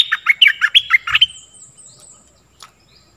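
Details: Lure song of a stripe-throated bulbul, also used for teaching young birds: a fast run of about nine chattering, gurgling notes in just over a second, then a faint thin trailing whistle and quiet.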